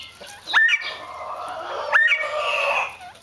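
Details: Mexican speckled quail uttering two upward-sweeping whistled notes about a second and a half apart, each trailing into a rough, buzzy murmur.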